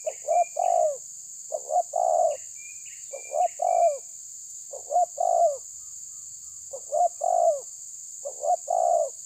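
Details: Spotted dove challenging a rival, cooing six phrases in a row, each of two or three short notes and a long falling coo, roughly every one and a half seconds, with brief higher chirps and a steady shrill hiss.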